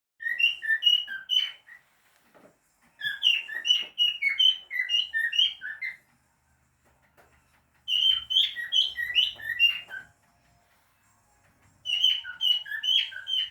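A cockatiel sings bursts of bright, warbling whistles, each phrase lasting a couple of seconds.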